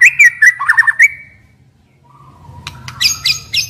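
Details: White-rumped shama song used to provoke singing in stressed young wild birds: about a second of quick whistled and warbled notes, then a quiet pause and scratchy high bursts over a low hum.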